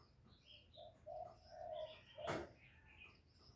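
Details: Spotted dove kept as a lure for wild doves, uttering a short run of soft, hollow coos, then a sharp wooden knock, with light chirps of other birds around.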